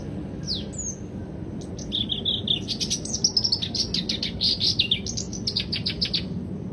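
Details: Black-browed reed warbler singing: a quick, varied chattering run of high chirps, sharp clicks and short whistled slurs, rising in energy and continuing for several seconds over a soft low background hum.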